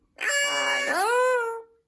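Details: An Amazon parrot, prompted by its owner's repeated "say hello", says a clear two-syllable "hello" in a high, voice-like tone: a flat first part, then a rising, held second syllable.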